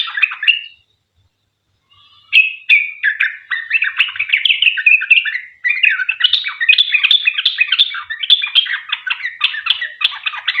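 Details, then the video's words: Sooty-headed bulbul, 'ropel panjang' long rapid song meant to lure other birds into singing; a short phrase, a second of silence, then a long, dense run of bubbly, warbled chirps without pause. "Trucuk gacor ROPEL PANJANG buat pancingan trucukan agar bunyi"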